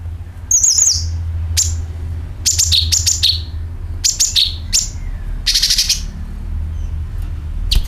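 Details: Calls of a sooty-headed bulbul, played as a lure for birds, with calling and rasping nyeret sounds: irregular bursts of sharp, high chirps and buzzy rasps, some quick and doubled, over a steady low hum.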